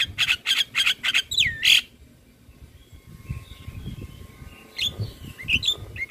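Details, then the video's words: Javan myna singing vigorously in a full, varied song for training other mynas: a quick run of five harsh, buzzy bursts, one slurred whistle, then quieter scattered chirps and short whistled notes. "Masteran Jalak Kebo Gacor Full isian - Semua Jalak Langsung Buka Suara"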